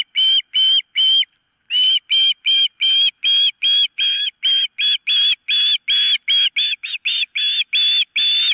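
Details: Agitated osprey at its nest on a nest camera, 4 September 2023, during an incident in which one bird nearly loses a toe: rapid, insistent run of high whistled yelps, about two to three per second, with one brief pause.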